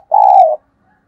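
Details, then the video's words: A single smooth, mellow coo of a spotted dove, held for about half a second and falling slightly at the end, from a lure recording meant to call in doves. "Tiếng Cu gáy kích bổi nhanh nổi, kích mồi, thúc gù Gáy Gọi"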